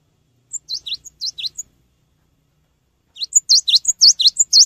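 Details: Energetic Cinereous tit song, used as a lure for training birds: a short run of high whistled and down-slurred notes, a silent gap of about a second and a half, then a louder, faster burst of repeated three-note phrases.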